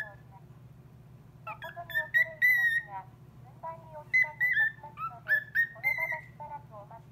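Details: A cockatiel reacts to a call-centre operator's recorded voice by singing two bursts of clear, wavering whistles with chattering notes mixed in, over a faint background hum.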